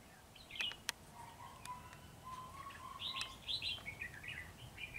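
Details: Red-whiskered bulbul song: a few sharp clicks, then quick chirpy whistled phrases repeated in a bouncing series, with a faint lower steady tone running underneath early on.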